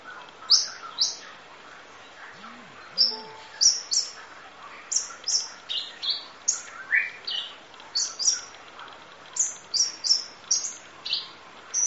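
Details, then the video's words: Sunbird 'nembak' master song: steady stream of sharp, very high chirps and short downslurred whistles, repeated roughly every half second throughout. "Masteran Kolibri Ninja Full Isian Nembak Durasi Panjang Kicau Burung"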